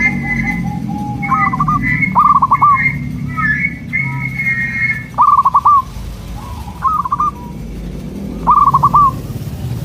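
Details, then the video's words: Zebra dove song, played to draw answers from local doves: short trilled coo bursts of clipped staccato notes, spaced a few seconds apart, over higher steady tones and a low background hum. "Sudah di buktikan dengan suara ini, burung perkutut lokal langsung nyaut jadi rame"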